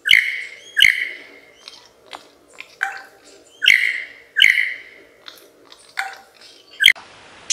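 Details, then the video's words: Australian lyrebird copying mechanical noises such as a camera shutter. Loud snapping clicks with bright ringing tails come in pairs and singles, with faint ticks between them. A brief hiss closes the sequence. "Lyrebird Mimic sounds"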